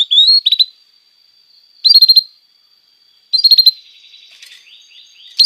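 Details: Canary tutor song for young birds: short clusters of rapid clipped notes repeated every one and a half seconds over a faint steady high tone, with a soft twittering passage near the end.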